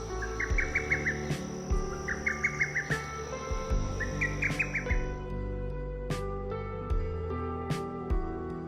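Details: A Lesser Cuckoo sings from a pine tree on a rainy-season morning in northern Thailand's mountains, after calling: three quick phrases of five or six loud, staccato whistled notes, about one every two seconds, over a low hum and rain drips.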